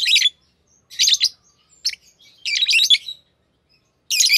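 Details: Green Fischer's lovebirds kept as a pair, giving loud scratchy chattering bursts about a second apart, each a cluster of rapid squeaky notes, with quiet gaps between.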